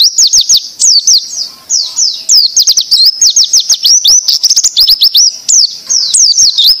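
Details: Oriental white-eye singing in the 'tembakan' style for training other birds: dense, energetic bursts of high, swooping whistles and sharp chips, repeated rapidly with short gaps.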